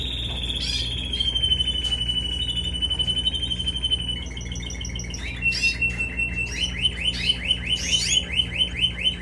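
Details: A canary that scored 91 points in a contest sings in the background while chicks are hand-fed: a long sustained high trill, then a rapid rolling series of repeated sweeping notes, over steady low hum and room noise.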